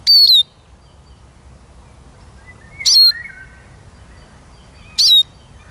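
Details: Eurasian siskin repeating a short, high, downslurred whistle three times at roughly two-second intervals, with faint bird notes in the background.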